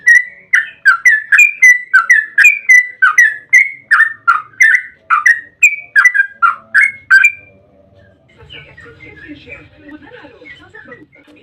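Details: Lure recording of a yellow-vented bulbul's long ropel song: about seven seconds of quick, loud, gurgling notes repeated in a fast series. After it stops, only faint scattered chirps and a low murmur remain.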